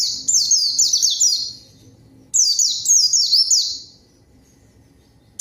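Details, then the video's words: Two bursts of a white-eye's rapid, chattering song, each a string of high notes sliding steeply downward, with a quiet gap between. Sung as a lure to provoke a rival's reply. "PANCINGAN PLECI GACOR MANGGIL LAWAN PLECI BAHAN LANGSUNG RESPON DAN IKUT BUNYI"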